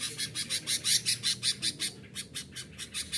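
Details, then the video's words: Agitated sooty-headed bulbul sounds meant to press rivals and call wild bulbuls: a fast series of rasping, broadband notes, nearly three per second, loudest early and fading slightly toward the end. "Suara Burung KUTILANG GACOR Menekan Lawan || Kutilang Liar Auto Emosi dan Menghajar Pikat"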